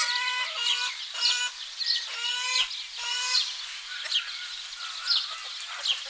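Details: Domestic chickens in a Greek village on a spring morning: repeated nasal clucks in short bursts about once a second, with small bird chirps and soft rustle behind.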